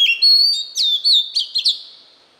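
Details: Training song of a white-rumped shama for teaching young birds: long sustained pure whistles, a sharp downward slur, then short bright rising notes in quick succession, fading at the end.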